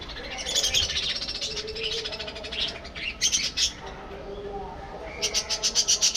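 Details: Busy budgerigar colony kept for breeding: dense, overlapping high chatter and warbles, broken by rapid runs of rhythmic ticking pulses near the middle and end.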